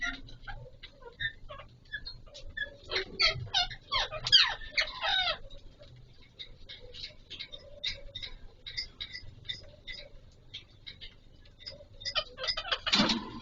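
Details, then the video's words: Captive Alexandrine parakeets, the Pahari Kashmiri parrot, during mating season; soft rapid chatter of short notes, a mid-clip burst of harsh squawks, continuing clicks and chirps, a thump at the end. "Raw Pahari Kashmiri Parrot 🦜 🐦 Mating Video"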